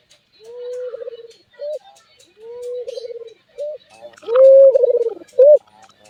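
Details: Albino Barbary dove with a peculiar voice: low, even coos, each sliding into a fast quavering pulse and followed by a short sharp note, the pattern repeated three times over about six seconds.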